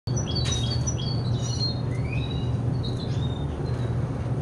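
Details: Caged tri-hybrid of hooded siskin, red siskin and intensive yellow colorbred canary, 50% variegated; sparse high whistled notes and short slurs over a steady low hum.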